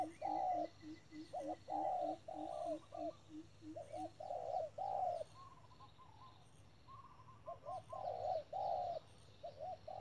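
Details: Spotted dove used as a decoy bird at a trap, calling urgently: mid-pitched, hollow coos in short grouped phrases repeated through the clip, with a steady run of softer, lower pulsed notes early on and faint higher chirps.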